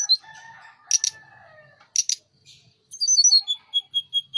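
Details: Mountain tledekan, a Sunda robin, singing energetically in full voice with wings spread: long whistled notes near one pitch, then sharp doubled clicks, ending in a run of clear high whistles repeated about every quarter second.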